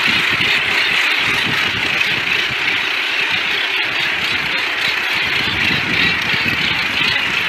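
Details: Dense, unbroken roar of harsh, grating calls from a packed Northern Gannet colony on Bonaventure Island, Quebec, many birds calling over one another with no pauses.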